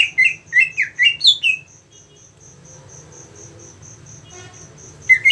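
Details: Green leafbird prepared for song competition. A rapid run of five rising-and-falling whistled notes opens the recording, then a quiet pause with only steady high ticking. One more bright note sounds at the end.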